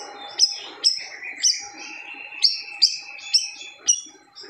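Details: Siri-siri bird in loud song claimed to silence other birds: sharp high chirps repeated about every half second, while a steady thin tone and a lower hum run underneath.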